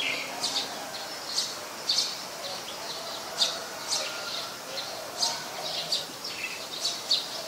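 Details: Olive-backed sunbird (Cinnyris jugularis) at home, afternoon of 25 March 2021, giving repeated short, piercing high chips, roughly one or two per second, over a steady noisy background.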